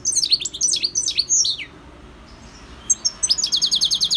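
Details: {'caption': 'Wild European goldfinch song from 2020, bright and liquid: fast descending twittering notes for over a second, a brief quiet gap, then a rapid high, even trill of repeated notes, with faint low background noise.'}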